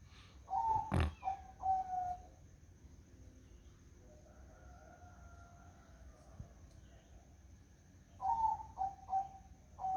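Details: Zebra dove singing on a foggy morning: a phrase of soft, mid-pitched cooing notes with a sharp knock among them, a long quiet gap with faint distant tones, then the cooing phrase returns near the end.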